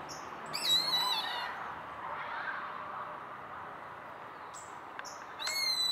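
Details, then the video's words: A purple gallinule gives a quick run of harsh, high, cackling calls, then a second burst after a few seconds of steady background hiss. "Call out of a Purple Gallinule!"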